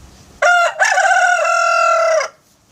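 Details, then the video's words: A rooster gives a loud, harmonic full-on crow, a declaration of confidence and well-being: a short opening note, a brief break, then a long sustained cry lasting about a second and a half. "A full-on crow is a declaration of his confidence and well-being."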